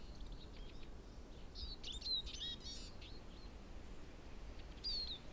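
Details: Eurasian siskin in a spring forest in Berezinsky Biosphere Reserve, Belarus: scattered high twittering notes and a few thin, slurred descending whistles, fairly faint, with quiet forest background between phrases.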